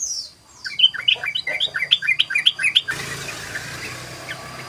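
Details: Sooty-headed bulbul in rapid 'ropel' song, used as a lure: about a dozen quick, sweet, chirping notes tumbling out in under two seconds, followed by steady hiss.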